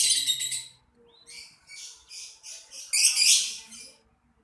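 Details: Lovebird chirping in shrill, buzzy high bursts: a rapid stuttering run at the start, a short pause, then a string of harsh chattering notes that swell loudest near the end before fading.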